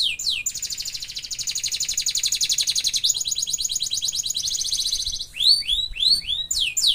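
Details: Canary singing, with quick swooping notes, then a long rapid rolling trill lasting about five seconds, ending in a run of loud curved whistles repeated about twice a second.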